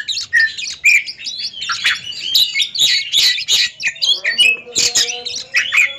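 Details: Oriental magpie-robin singing in a contest duel, a ringed bird: loud rhythmic phrases of sharp chirps and short whistles about twice a second, with a droning tone and faint voices.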